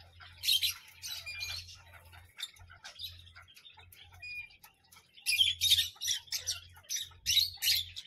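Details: Harsh, noisy parrot squawks in two loud clusters separated by a quieter stretch of short chirps and a level whistle, with a steady low hum underneath.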